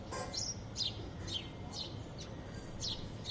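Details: Sparrows that frequently visit a green home balcony give short, bright chirps, about two a second, dropping quickly in pitch, over a steady low background hum.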